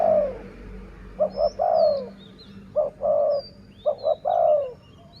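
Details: Low dove cooing, recorded while luring doves with a decoy. A falling coo tail opens, then three phrases of two short notes and a longer sliding coo. Soft high bird whistles and a low hum sit behind.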